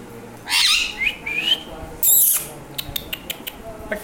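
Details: Pair of three-year-old Alexandrine parakeets: two harsh, broadband screeching bursts about a second and a half apart, with short rising whistled notes between them and a few sharp clicks afterwards; a human voice is heard nearby.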